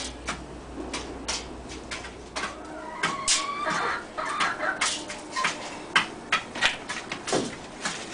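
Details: A seven-year-old Black Rock hen that is still laying gives a few short, nasal clucks and squawks midway, amid frequent sharp clicks and knocks.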